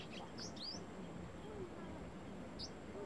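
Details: Brown-throated sunbird in Cambodia gives a few high, thin rising chips, two close together early and one more later, over a steady low background murmur.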